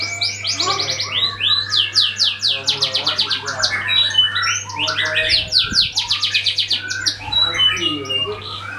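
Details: Canary singing as a lure to prompt other birds to sing: long, fast rolling trills of high repeated notes, shifting between rattling series and sweeping whistles, continuous throughout, with a faint low hum beneath.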